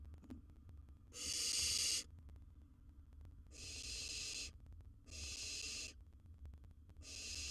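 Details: Wild baby barn owl in a nest box with a large gerbil as prey, giving harsh, breathy hissing screeches, each about a second long and separated by short pauses, over a low steady hum.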